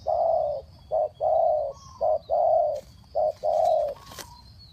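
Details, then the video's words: Spotted dove giving a lure call in a three-note pattern: a run of low, steady coos alternating long and short notes, roughly one per second, over a faint hiss and a brief click near the end. "เสียงนกเขาใหญ่ 3กุกห้อย เรียกลงกุก2กุก"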